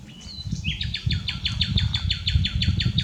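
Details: Common nightingale singing, unedited: after a brief whistle, a long series of about a dozen rapid, evenly spaced, down-slurred notes repeated at a steady beat. Low rumbling noise underneath.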